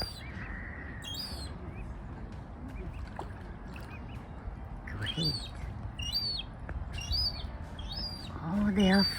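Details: Seagull swimming with ducks in Norway on September 9 while the birds dive and eat small fish; a series of high, arched whistles comes in bursts, with a faint drawn-out tone early on and a man's voice at the end.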